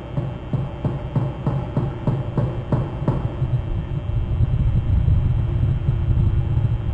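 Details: Heavy low rumble of a vehicle engine with rhythmic knocking pulses that fade out, and no animal calls heard.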